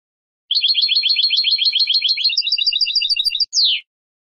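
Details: European goldfinch song: a rapid, even trill of high, twinned notes lasting about three seconds, shifting to a slightly different note pattern midway, then a short pause and a sharp descending slurred note. No other sounds.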